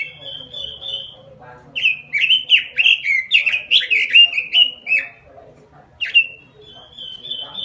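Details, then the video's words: Lure and master song of a robin, sung in vigorous 'gacor' fashion: a steady high whistle opens, then a fast run of looping, dropping whistled phrases, a short gap, one sharp note and another level whistle. "Suara Pikat Burung Robin Full Gacor . Masteran Burung Robin"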